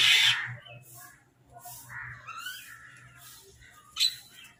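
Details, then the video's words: Crows fighting over food while eating: a loud, harsh, broad burst opens, followed by quieter chirping and rising notes from other birds, then one more sharp call near the end. "Crow Bird Crowing Sound part 23 | Crow Eating Food"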